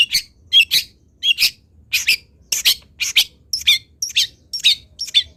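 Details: A long-tailed shrike sings, recorded as a model for teaching other shrikes. A rapid run of scratchy, high chirps and squeaks comes about two per second with uneven spacing.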